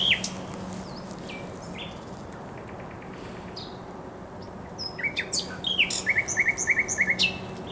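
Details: Spring song of a thrush nightingale along the Żerań Canal, Poland, 24 April 2022: quiet thin whistles and faint rattles, then a louder burst of rapid repeated sharp notes near the end.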